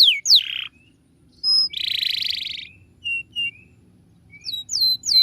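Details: Canary master song for training birds: a couple of descending whistles, a buzzy trill, scattered short pure tones with pauses, then falling whistled notes at the end.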